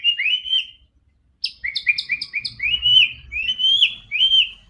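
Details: White-rumped shama, or murai batu, singing as a prompt for a quiet bird: a rising whistled phrase, a pause, then a quick string of doubled chirps and sweeping whistles, with faint low background rumble.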